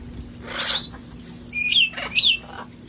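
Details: Rescue parrots relaxing outside ahead of the cold season; a brief hoarse squawk followed by a quick series of bright, shrill, whistled notes that rise and fall.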